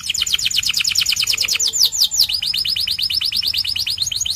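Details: White canary in full song, pouring out rapid high-pitched trilled notes several per second, shifting midway into a faster run of short downward-curving chips, all bright and continuous.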